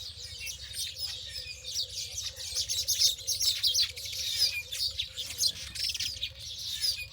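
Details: Wild birds in a natural setting: a dense, continuous chorus of high, thin chirps and twittering trills from several birds at once, with a steady low hum underneath.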